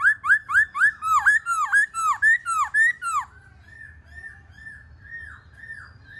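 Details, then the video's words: Black-throated laughingthrush song: a fast run of loud, clear whistled notes, each swooping down then up, about two per second for three seconds, then fading into softer, distant repeats of the same phrase. "KHƯỚU BẠC MÁ HÓT MÚA HAY"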